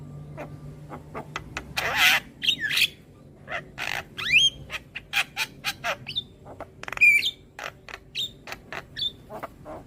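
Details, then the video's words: Young Javan myna tutor song for young birds: harsh broad squawks, then a rapid string of clicks and whistled slides, with a low hum at the start. "Masteran Burung JAlak Kebo Muda Agar Cepat GAcor Manggut Manggut Rutin Putarkan Tiap Hari"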